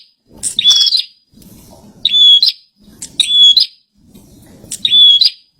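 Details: Bar-winged prinia in full song, giving four short phrases of a sharp buzzy note that runs into a flat high whistle, about one phrase per second and a half, with soft low background noise between.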